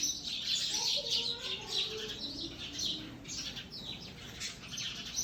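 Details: Sparrow calls: a dense chorus of short, high chirps overlapping without pause, as from several birds at once, with a few faint lower tonal notes underneath.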